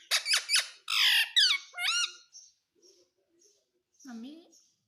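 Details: Green pet parrot giving rapid harsh squawks and upward-curving whistled notes in the first two seconds. Quiet clicks follow, then one lower drawn-out call.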